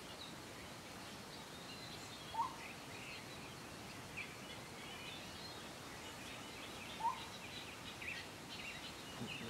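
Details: A blue-throated motmot (Aspatha gularis) calling in the highlands of Guatemala gives two short, hollow hoots about five seconds apart over a steady wash of hissing background noise.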